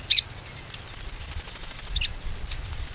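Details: Konin song as a lure to make silent birds sing again: a loud chirp, then a rapid run of very high thin ticking notes, another chirp and a second short high run.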